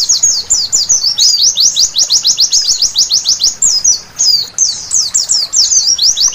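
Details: White-eye singing at night, used as therapy to make it sing loudly: a continuous fast chatter of high, sharp, twittering notes, densely repeated with brief pauses near the middle, over faint background hiss.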